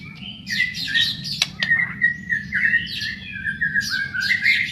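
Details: White-rumped shama song used as a lure to make shamas sing: rich varied phrases of whistles, squawky notes and sharp clicks mostly high-pitched, over a steady low hum and faint background music.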